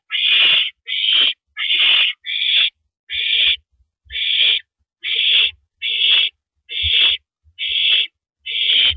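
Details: Owl on a porch perch, recorded April 9, 2012 at 8:17 PM; harsh, breathy hissing screeches repeated a little more than once a second, each about half a second long, with faint low thumps between.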